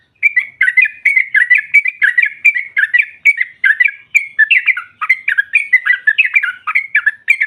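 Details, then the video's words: Female sooty-headed bulbul calling to provoke rivals: unbroken rapid chatter of bright slurred notes, evenly paced and energetic throughout. "SEKALI PUTAR SEMUA TRUCUKAN NYAUT NGROPEL Seketika"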